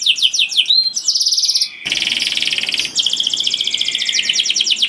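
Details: Loud, melodious canary song meant to draw in other canaries, a dense run of fast buzzy trills and rolling high notes, changing tempo abruptly midway and continuing as a rapid rattling trill.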